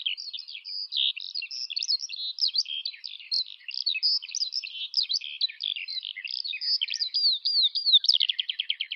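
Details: Eurasian skylark singing a long, continuous, rapid stream of high warbled and trilled notes, with buzzy rolls and quick repeated slurred phrases near the end; no other sounds.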